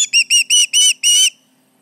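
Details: Osprey at the Charlo nest calling with intruders around, July 29, 2019, 11:30am MDT: five loud whistled chirps with a rising-then-falling tone, given in quick succession over about 1.3 seconds, then quiet.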